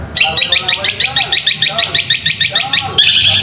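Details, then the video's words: Long-tailed shrike recording used as a lure to provoke a reluctant shrike into singing: fast run of harsh, scratchy notes, about five per second, high-pitched and steady, ending in a louder burst. "pancingan JITU MERANGSANG EMOSI CENDET MALAS BUNYI Seketika Nyaut Dengan Cendet ini"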